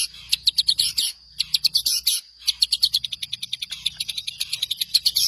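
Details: Master song of a long-tailed shrike, used to train songbirds: high, dense chirping bursts separated by short gaps, then a steady stream of quick sharp ticks and twitters.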